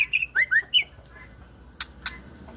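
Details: Female white-rumped shama of the Aceh type: a quick burst of clear whistled notes in the first second, some sliding down and others rising, followed by a quiet pause and two sharp dry clicks.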